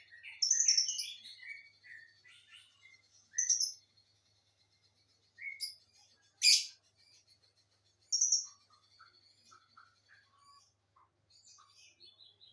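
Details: A pair of lovebirds giving shrill, high chirps and squeaky twitters in short bursts separated by pauses, with one loud harsh screech midway and softer scattered chirps toward the end.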